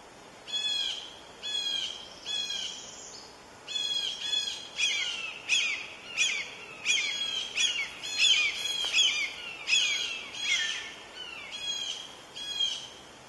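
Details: Nest with two red-shouldered hawk chicks being fed by a parent bird; a long series of high, squealing, downslurred calls, roughly one every second, growing busier and overlapping midway, over steady background hiss.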